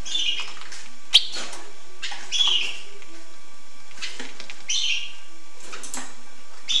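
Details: Hooded siskin with short twittering, buzzy phrases every two seconds or so, plus one sharp click; low background hum.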